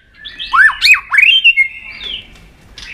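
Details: White-rumped shama, stirred to fighting song and flicking its tail, sings a few deep swooping whistles followed by a drawn-out, wavering high note fading away.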